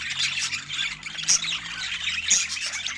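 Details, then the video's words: Budgerigars enjoying fresh food, filmed in Scandinavian natural light, giving a short burst of scratchy group chatter with a few high whistled peeps. "Watch the Sweet Sounds of Pure Joy Over Fresh Food"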